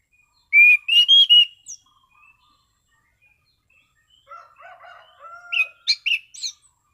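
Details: Orange-sided thrush in prime condition singing steadily and calmly: a loud run of clear whistled notes, then quieter low warbling and a soft drawn whistle, ending in sharp high rising notes.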